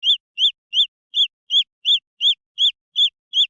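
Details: Peeping of green junglefowl chicks, each note a short rising-and-falling chirp, about ten given at a steady pace of roughly three per second over a silent background.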